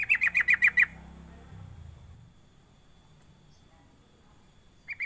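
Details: Sooty-headed bulbul calling as a lure for other bulbuls: six rapid, bright chattering notes open the recording, followed by a low rumble and quiet, then the start of another burst at the very end.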